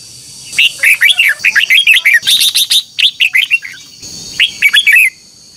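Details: Red-whiskered bulbul in a morning singing contest, used as lure song to train birds: a lively run of rich, warbled, up-and-down whistled phrases, a brief pause, then another short warbling burst, with a faint steady high hum.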